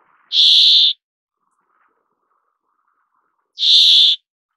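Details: Pair of grating, wheezy calls from a brambling about three seconds apart, each a flat buzzy note of roughly half a second, otherwise quiet.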